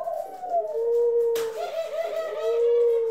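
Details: Continuous low cooing from indoor pet doves (ringneck, Senegal and hybrid), recorded April 25, 2021. A steady pure tone is overlaid by pulsing, rolling coos, with one sharp click partway through.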